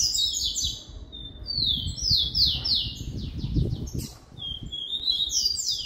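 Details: Caged rufous-collared sparrow (tico-tico) singing the song style known as "Jesus meu Deus": clear, high slurred whistles sliding downward, then quick trilled note runs, repeated through the clip over low background rumble.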